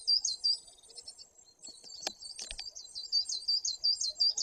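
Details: Great tit at a window in the Tuchola Forest, Poland, on 2 September 2022, giving fast, high, thin repeated notes, with a few clicks and knocks.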